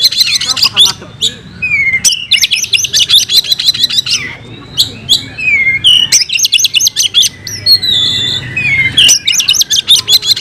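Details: Oriental magpie-robin (kacer) in a loud fighting song full of mimicked fill-in phrases: dense rapid high chattering bursts broken by brief silences, with slurred descending whistles between phrases.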